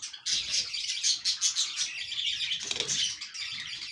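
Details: Breeding budgerigars warble in a steady stream of high, twittering notes with small whistled accents and a brief scratchy sound near the end.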